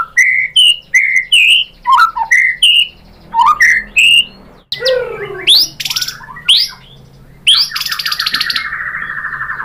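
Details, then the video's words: White-rumped shama song with mimicked material, sung to stir other birds into answering: paired whistled notes repeated several times, then a swooping call, harsh buzzy bursts and a long rattling trill. "KICAUAN MURAI BATU bikin NYAUT ikut GACOR BONGKAR MATERI ISIAN ¦ PANCINGAN MURAI¦ SHAMA BIRD"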